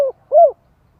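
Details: Spotted dove cooing to stimulate males: the tail of one low hollow note, then a single short mellow coo that rises and falls, with silence after.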